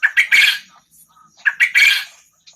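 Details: Two loud, rasping phrases from a Lombok quail of the kind valued in singing competitions. Each phrase is a couple of short sharp notes, then a longer grating burst, and the phrases come about 1.5 seconds apart.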